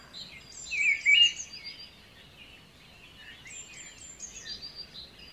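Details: White-rumped shama lure song meant to stimulate a stressed bird that refuses to sing: two bursts of varied whistled and warbled notes, the first louder, separated by a pause, over faint background hiss.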